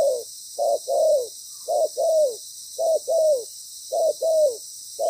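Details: Moulting spotted dove kept as a trapping decoy, calling in paired coos: a short low note followed by a longer downslurred coo, pairs repeated roughly once a second over a constant high-pitched insect drone.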